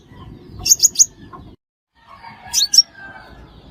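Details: Trapping-lure recording of a five-coloured sunbird. A trio of shrill high chips sounds, a brief silence follows, then another short cluster of sharp notes, with faint lower whistles behind.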